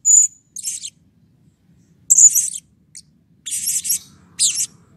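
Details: Blue-crowned hanging parrot calling excitedly as a lure to draw calls from other birds: sharp high squeaks and buzzy rattling notes, irregular, with silent gaps between bursts.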